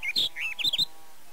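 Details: Barred Warbler in Zemplén, Tokaj, Hungary, early to mid May 2013, giving a brief burst of scratchy, chattering notes, high and uneven, lasting under a second over a quiet background.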